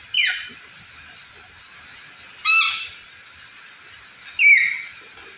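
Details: Black-capped lory giving three loud, harsh screeches, each sweeping steeply downward with a rich, grating tone, spaced about two seconds apart in a quiet setting.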